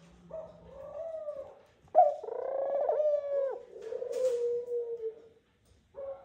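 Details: Courting Eurasian collared dove pair on their nest, the male calling his mate in: a soft opening note, then a loud, nasal, wavering coo and a long falling moan, with a short rustle between.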